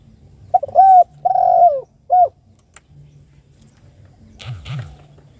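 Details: Spotted dove calling a companion: a single phrase of a short coo, a held coo, a falling rough coo and a clipped end note, followed by faint low rumbling and a soft rustle.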